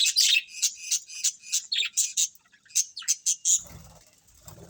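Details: Colourful budgerigars in a colony chirping together: dense bursts of high, scratchy chirps and warbles repeated rapidly, fading to quiet low rumble near the end.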